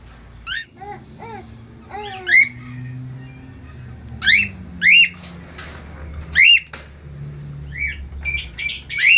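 A pair of budgerigars chatter busily, with scratchy chirps, rising squeaks and harsh squawks coming in quick irregular bursts over a faint low hum.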